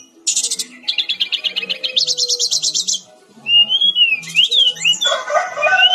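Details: Loud, busy song of the brown-chested jungle flycatcher (Cyornis olivacea): long rapid buzzy trills at shifting pitches, followed by wavering whistled slides and a burst of mixed lower and higher warbling.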